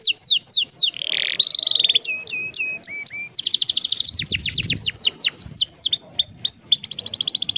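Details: A young caged canary sings a long rolling song used to stimulate other young canaries, a buzzy rasping phrase, clipped whistles, then a long rapid trill and repeated falling notes.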